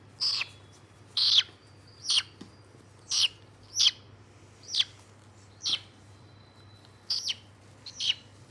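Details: White-bellied caique repeating harsh, rasping high shrieks about once a second, some doubled, with quiet gaps between and a low hum in the background.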